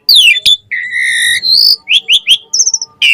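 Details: Asian pied starling song for training caged birds: a varied run of falling whistles, harsh squawks, a long flat buzzy note and quick rising chips, closing with a short trill.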